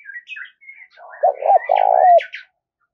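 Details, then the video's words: Spotted dove cooing among other birds, meant to rouse singing and train decoys: bent coos and a long purring coo beneath a busy layer of high chirps and twitters. "tiếng cu gáy kích bổi nhanh nổi xiêng gáy và tập mồi rất hiệu quả"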